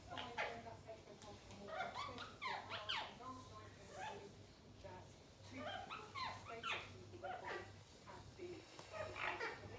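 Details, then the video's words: Playing Indian ringneck parrots make quick bursts of rising and falling squeaky notes in two busy bouts, separated by quieter chatter, with a faint steady hum underneath. "Indian Ringneck Parrots Playing Together"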